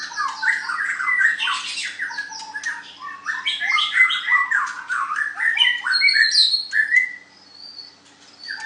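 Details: Murai batu, the white-rumped shama, pitted in a singing match: a dense, nonstop torrent of rapid chattering notes, harsh squawks and bright whistles tumbling over one another, thinning into a few high whistles before a brief quiet gap.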